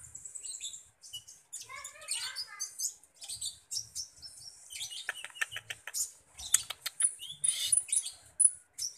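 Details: Common iora, locally called konin ijoan, singing while being fed: rapid, varied high chirps, sweeping whistles and dense clicking trills in uneven bursts, with a few soft low thumps underneath.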